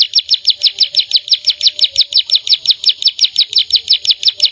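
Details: Gacor canary song made of a fast, even series of high chirping notes, roughly four to five per second, each bright and ringing, with a quiet background.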